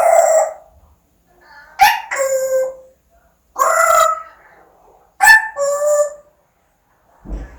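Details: Talking pet parrot repeating Korean words such as "like" and "thank you" with "ABC"; four spaced phrases, each opening with a sharp click-like onset followed by a drawn, nasal speech-like tone.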